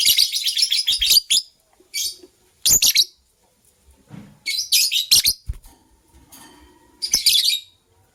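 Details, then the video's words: White lovebird couple chirping in the morning: loud bursts of harsh, high, rapid chirps in four clusters, each about half a second to a second long, separated by quieter gaps with faint clicks. "White LoveBird Chirping Sounds"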